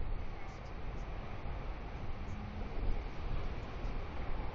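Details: Low wind rumble and hiss fill the recording, and no animal voice.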